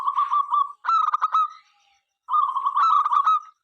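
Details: Local Zebra dove, a keen singer, sings to invite other doves to sing. Two bursts of rapid, nasal, stuttering cooing notes with rich overtones, separated by a pause of under a second.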